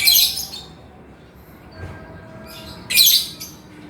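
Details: Male lovebird: a rasping, shrill squeal burst at the start, a quiet gap with faint hum, then another harsh high chattering outburst about three seconds in.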